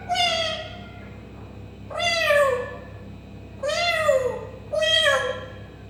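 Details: African grey parrot imitating a cat: four drawn-out, nasal meow-like calls, each bending down in pitch and rich in overtones, spaced about every one to two seconds in a quiet indoor setting.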